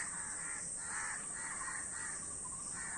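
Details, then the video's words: Many crows calling: soft, hoarse caws blur together in a loose overlapping chorus, set against a constant high-pitched hiss. "অনেক কাক Crow Bird's Video | কাকের ভিডিও ও কাকের ডাক।"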